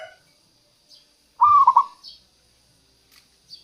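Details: Single cooing phrase of a local zebra dove, played to lure wild doves and coax lazy birds into singing; a short burst of stuttered, rolling notes in quiet surroundings.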